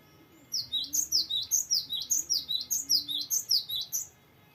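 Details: Cinereous tit (gelatik batu) in full song, a long varied rolling phrase (ngeroll): rapid high two-note units repeated about two and a half times per second for some four seconds, with faint low background hum.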